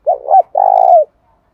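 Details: Decoy spotted dove, kept to lure wild doves into cooing, gives one full phrase: a short, wavering double note followed by a longer steady low coo that falls slightly at the end.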